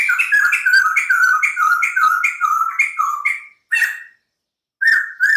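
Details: Caged white-crested laughingthrush in energetic song: a rapid run of rich, slurred whistled phrases repeated in quick succession, then a short pause before two further loud notes.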